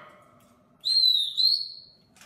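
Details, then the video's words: Talking grey parrot, a hand-reared pet that speaks Spanish, gives one clear, high whistle lasting about a second, slightly rising and briefly broken midway, over a quiet room hum. "Loro Yaco HABLANDO"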